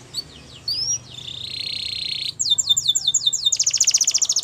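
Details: Yellow canary singing a training song: rising whistled notes, a sustained buzzy trill, then a fast series of sharp descending chirps and a rapid high rattling roll, all high-pitched and continuous.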